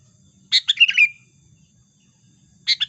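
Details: Energetic sooty-headed bulbul lure song for trapping: a chattering, bubbly phrase of several quick notes ending in a clear whistle, then after a short pause the next phrase begins, background otherwise silent.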